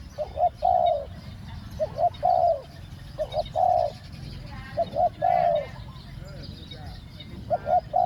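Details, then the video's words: Decoy spotted dove luring wild doves with khu-ang two-word coos. Phrases of two short notes and a longer mellow hoot repeat roughly every one to two seconds, with faint chirps from other birds behind. "ต่อนกเจาใหญ่ เจ้าวุ่นวายเก็บเชลย คูอ่าง 2 คำ"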